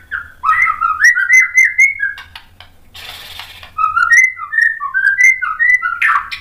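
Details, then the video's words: White-rumped shama song meant to provoke a response: rich, fluty whistled phrases wavering up and down, broken by a brief hiss of noise before the melodic whistling resumes. "MASTERAN MURAI BATU memancing EMOSI jadi NYAUT"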